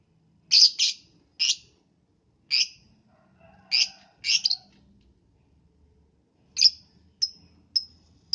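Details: Lovebird singing in the morning to prompt others of its kind: scratchy high double chirps at uneven intervals, then three cleaner, thin descending chirps near the end, with a faint low murmur underneath.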